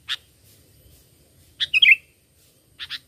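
Sooty-headed bulbul giving brief, bright chirps, then a quick run of three or four liquid whistled notes, with a pair of short chirps at the end. A faint low rumble sits underneath.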